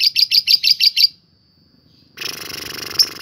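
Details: Lovebird rapid chatter, a provoking sound meant to make other lovebirds ngekek and fight: seven fast sharp high chirps in one second, a pause, then a dense noisy burst with one loud chirp.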